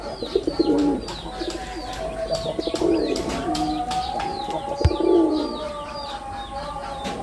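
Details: Performing male red-bordered wild pigeon gives three low, rolling coo phrases about two seconds apart, each swelling then fading, over constant chirping of small birds and a faint steady hum.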